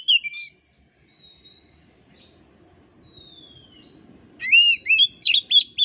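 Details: Oriental magpie-robin as a master recording: an opening harsh chirp, two long thin whistles, then a loud rapid run of looping, sweeping notes at the end, over faint background noise.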